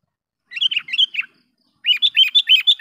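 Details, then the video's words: Lure call of a sooty-headed bulbul for drawing in wild birds: four quick chirped notes, a short silent pause, then a faster burst of six loud, bright slurred chirps; nothing else audible. "suara BURUNG KUTILANG pikat gacor memanggil kutilang liar dengan suara panggilan pikat kutilang"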